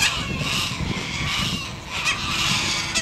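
Harsh, raspy screeches from sulphur-crested cockatoos run almost without pause, with louder grating bursts near the middle and end over a low background rumble.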